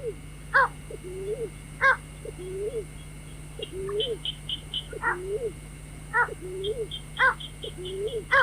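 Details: White-breasted waterhen calling, played as a night-trapping lure: low rising-falling moaning notes interleaved with sharp harsh bursts every second or so, high chirp runs in places, constant low hum behind.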